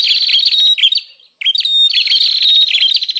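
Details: Bar-winged prinia lure call used to draw wild prinias: rapid buzzy chattering notes with harsh harmonics, a brief silent break near the middle, then the dense chatter resumes.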